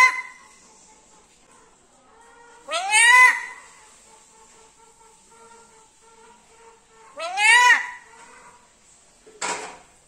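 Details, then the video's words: Pet black-capped lory talking in a sweet voice indoors: loud, harsh rising harmonic calls, each about half a second long, heard twice with long quiet gaps and then a shorter final burst. "parrot talking ഇങ്ങനെ സംസാരിക്കണത് ഫസ്റ്റ് ആണ് black cap Lori sweet voice lori keet sweet talking"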